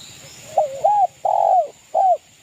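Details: Zebra dove, local bird from East Java, singing to provoke rivals: a brief stuttering low coo followed by two fuller, rounded arching coos with short gaps.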